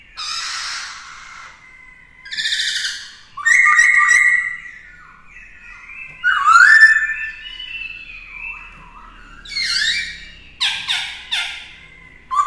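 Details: Black-throated laughingthrush (khướu bạc má) singing during a young bird's song training, forest-style voice. Scattered phrases: hissing, rasping bursts alternate with short sliding whistles, separated by pauses of about a second or two.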